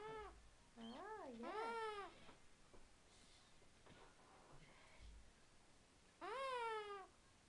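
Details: Pet eclectus parrot, a male kept indoors just after a bath, making cute baby noises: wavering, whining tonal calls rising and falling in pitch, two close together at the start and a longer one near the end, with brief human voices in between.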